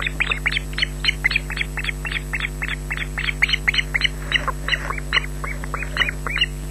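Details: Loch Garten nest cam, evening of 14 June 2012: youngest osprey chick shrieking for food beside the female, fast chain of sharp, high, downward-bending cries repeating nearly four times a second, background hum.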